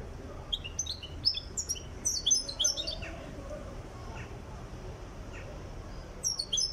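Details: European goldfinch from Tiaret, Algeria, in training for song, gives a burst of rapid high twittering chirps early on, then a quiet pause, and resumes with a few tinkling notes at the end.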